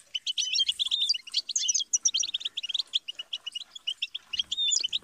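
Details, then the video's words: Busy European goldfinch twittering: dense jingling chirps and buzzy slurred notes running almost without pause, with a faint low rustle near the end. "Best guide for teaching and motivating songbirds - Goldfinch"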